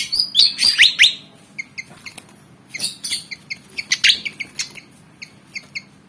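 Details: Black-and-white Javan fantail described as eager to fight: loud swooping notes, then spaced high chips and harsher bursts, thinning to sparse single chips.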